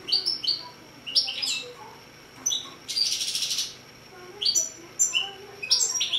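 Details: Song of a six-month-old goldfinch × canary hybrid: quick high twittered phrases and sweeping slurred notes broken by short pauses, with a dense rattling trill midway through.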